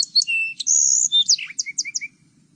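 Song Sparrow song: a few clear, high introductory notes, then a quick buzzy trill and a run of short, sharp repeated notes, all within under three seconds.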